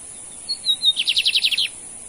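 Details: Lined seedeater, known in Brazil as bigodinho, male in a singing contest between two males: a few thin high whistled notes, then a fast run of about nine buzzy repeated trilled notes.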